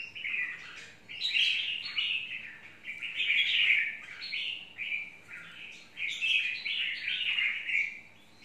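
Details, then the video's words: Chào mào mộc, the red-whiskered bulbul, singing a run of lively warbled phrases. The notes jump up and down and come in clustered bursts over about eight seconds, over a quiet background hum. "Chào mào mộc"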